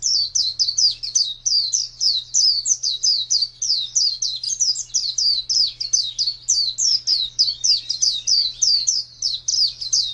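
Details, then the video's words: A pet white-eye (pleci) of the kind entered in bird contests pours out a sustained, rapid warble of thin, high chirps, each sliding downward, for the full ten seconds, with a low hum behind. "Birds Chirping Pleci Master Joss Chirps"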